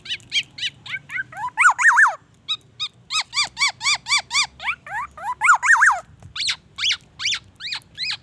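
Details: Black-naped oriole pouring out song that borrows white-rumped shama phrases: steady chains of loud, arched whistled notes, some rising then falling, repeated about twice a second with brief pauses between bursts.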